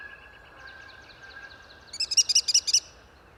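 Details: An American Kestrel in Ohio gives a quick burst of about six shrill, high klee notes in just under a second, after faint chirping from other birds.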